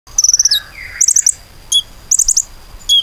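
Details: Common iora song used as a lure to get other birds singing: a fast run of high piercing whistled notes, a lower slurred whistle, then clusters of quick sharp high chirps and clipped notes.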